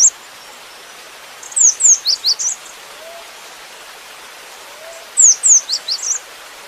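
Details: Cinereous tit in full varied song: two phrases about three seconds apart, each five or six high, quick, falling whistled notes, over low steady hiss.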